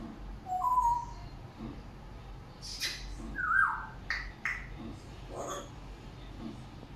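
An African grey parrot gives a few scattered whistled notes, one sliding up and down, mixed with sharp clicks and short bursts of sound.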